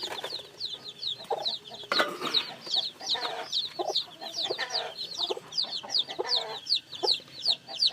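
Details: Dense peeping from newly hatched chicks, many high falling cheeps overlapping, with soft adult clucking and a sharp knock early on.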